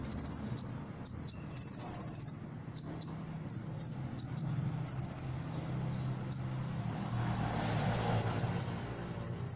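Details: Energetic song from a contest-trained caged Ruby-cheeked sunbird in Indonesia that includes cricket, kapas tembak and cililin imitations. Sharp high notes are scattered between short dense buzzy trills, with a faint low rumble behind.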